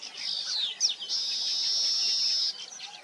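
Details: A weaver at the nest gives a few quick chirps, then a long, steady, high buzzy sizzle lasting over a second before breaking back into short twittering notes.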